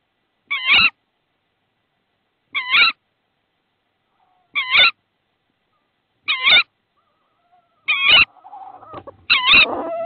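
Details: Tawny owl at its Estonian nest on 22 March 2016, with a frog brought in as prey. Six brief, quavering, nasal calls roughly every two seconds, followed by rustling and scraping at the end.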